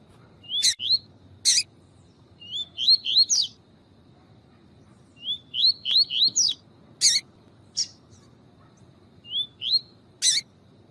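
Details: Double-collared seedeater with a female chirping to excite the male, tui tui style: repeated bursts of three to five rising whistled notes with several loud clicks between them and a low hiss throughout.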